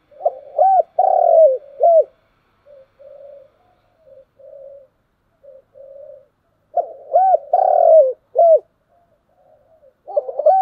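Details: Spotted dove calling in the morning: a phrase of low arched coos and a long sustained note, then soft murmured coos, then the full phrase repeated about every six seconds.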